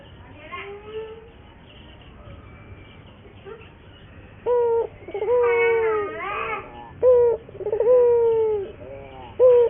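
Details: Local Barbary dove lure song for training other doves: a faint coo and near-quiet stretch, then louder repeated short notes and long wavering coos from about four seconds on.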